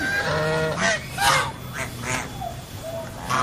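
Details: Geese honking: a run of loud, nasal, harmonic-rich honks, some drawn out and some short, coming in quick irregular bursts over a steady low background rumble.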